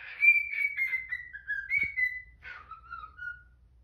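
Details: Pet cockatiel singing "If You're Happy and You Know It" in the morning: a clean whistled phrase of sliding, slightly descending notes, a short break, then lower steady whistles, indoors.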